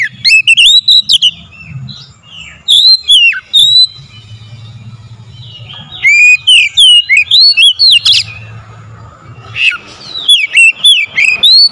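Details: Oriental magpie-robin song intended to rouse other magpie-robins into singing: loud, fast-paced whistled phrases with abrupt up-and-down slides, broken by short quieter gaps over a low hum.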